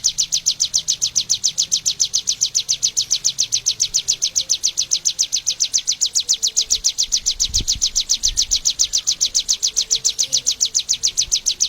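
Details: Bar-winged prinia from Indonesia, where it is endemic, delivering a fast regular train of bright, downward-sweeping chirps without pause; a brief low thump occurs midway.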